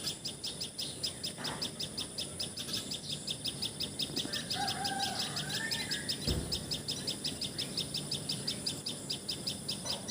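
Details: Common tailorbird in Assam, India, chipping rapidly and persistently at a high pitch. Midway, a rooster crows faintly in the distance, and a single dull knock is heard.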